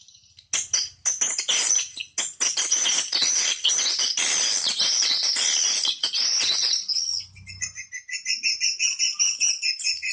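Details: Swiftlet call used to attract birds to nesting houses: rapid high chirping bursts for about seven seconds, then a steadier series of repeated, pulsing shrill notes, with a soft low thump midway.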